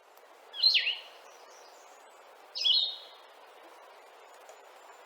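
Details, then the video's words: Blue-headed vireo song, described as slower, lower-pitched, slurred and sad with a sneezy, drawn-out quality: two short slurred phrases, each a quick down-and-up whistle, separated by a pause of about two seconds over steady background hiss. "So let's listen to this slower songed, sad blue vireo."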